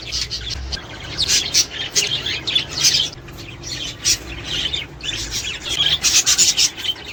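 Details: Several budgerigars chattering to encourage pairing and breeding, a busy flow of scratchy warbles, clicks and high squeaks rising and falling in loudness, with a quiet low background hum.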